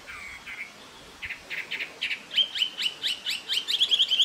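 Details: Taiwan hwamei in Jianshi Township, Hsinchu, Taiwan, April 2024, giving a quickening run of loud, clear, down-slurred whistled notes, about four per second and growing more insistent toward the end.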